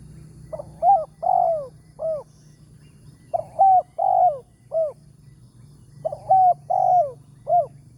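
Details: Spotted dove, a wild target bird with a loud 'tarik akar' voice, called in with a decoy on a morning trapping trip; three evenly spaced phrases of four soft, hollow coos, the third note longer and sagging, against quiet low rumble.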